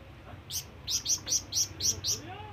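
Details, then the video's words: ['Short burst from a flamboyan bird calling companions or rivals: six sharp, high chirps in rapid even succession, ending with a faint low slurred note.'] "SUARA BURUNG FLAMBOYAN MEMANGGIL TEMAN"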